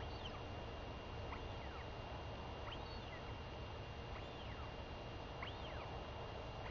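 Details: Royal albatross daughter begging her mother for a meal on 23 May 2021 after the parent returns from seven days away; a series of looping whistles, rising then falling, every second or so amid wind.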